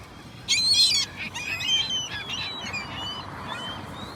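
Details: Gull gives one loud harsh squawk, followed by softer wavering cries and thin calls from other gulls further off.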